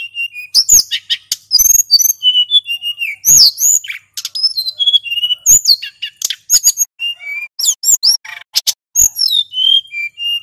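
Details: Male hill blue flycatcher singing continuously as a lure: busy stream of high chirps, trills and sweet whistled slurs with hardly a gap.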